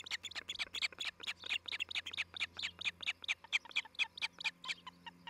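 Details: Osprey at its nest near Charlo, Montana, recorded by a nest cam on 11 July 2018. It gives loud, insistent, high-pitched chirps in a rapid, fairly even series over a low steady hum.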